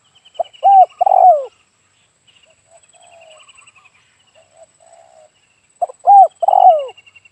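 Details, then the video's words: Wild Spotted Dove near Dumai, Riau, on an overcast morning, answering a decoy bird during trapping, gives loud, hollow coos in a short phrase repeated after a few seconds, with faint softer coos and high chirping birds behind. "Suara Burung Terkukur"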